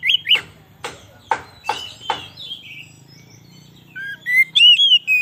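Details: Oriental magpie-robin used as a trapping lure in the forest; several harsh, scratchy notes at first, then a soft gap and a closing phrase of clear, rising whistles over a low background hum.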